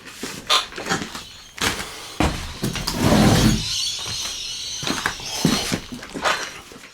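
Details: Rainbow lorikeets going wild outside a studio window in December 2020, their numbers recently increased, shriek in harsh, grating bursts that come in quick succession, rising into a noisy chorus, with indoor knocks and room sounds mixed in.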